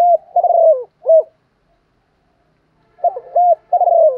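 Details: Spotted dove lure call meant to provoke other doves: clear, low cooing phrases of short hooked notes and a longer falling coo, two bursts separated by silence, recorded close with a quiet background.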